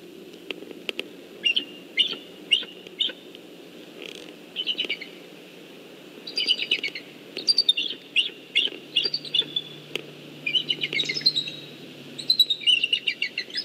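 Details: Mated eagle pair at their nest on 12-11-14, between 1:30 and 6:24 pm, communicating more as hatching nears. Repeated bursts of squeaky, chittering notes come in short runs, with brief gaps, over a soft background rumble.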